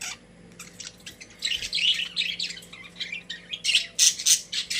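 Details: Several pet budgies in a cage chatter in rapid, scratchy high notes that build from sparse chirps into dense, overlapping squawky bursts, over a faint background hum.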